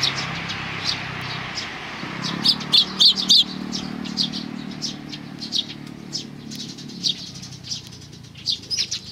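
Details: Sparrows at a Tenmangu shrine on 2 May 2019: short sharp chirps, some in quick runs of three or four, scattered through the clip over a steady low background hum.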